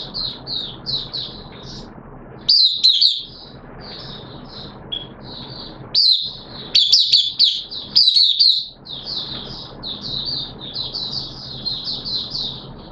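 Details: Oriental white-eye in open song on a wet-weather day, 6 September 2022: a long, even stream of soft, high chirping notes with a few louder, busier bursts, set against a low background rumble.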